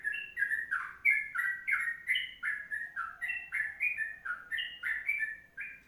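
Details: Long 'kongslet' tutor song of a Sooty-headed bulbul: bright, slurred whistled notes in quick rising and falling pairs, steady throughout, over a soft low hum.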